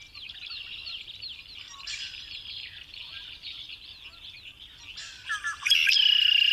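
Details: Wild bird song: rapid, thin chirping notes run on in a steady stream, then a louder burst near the end finishes with a sustained pure whistle.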